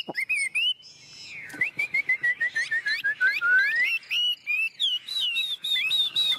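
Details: Chinese hwamei kept tame in a cage, pouring out a whistled song of rising and falling slurs and rapid repeated notes, with a soft buzzy note early on and brief gaps between phrases.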